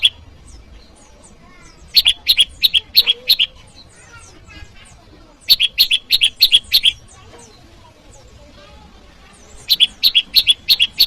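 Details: Bar-winged prinia calling to challenge a rival: three clusters of rapid, high metallic chips, each around eight notes, with soft scratchy twitters in between.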